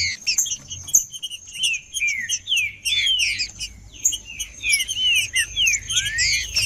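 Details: A male green-winged saltator sings to warm up, giving a run of mellow slurred whistles that bend up and down in quick succession, with scattered high chirps and a continuous faint high-pitched tone behind.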